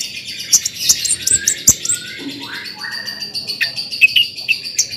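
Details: Long-tailed shrike in full song, used as a lure to excite other shrikes into singing: a dense, continuous high chatter with short bright whistles, clicks and a few lower drawn-out notes mixed in.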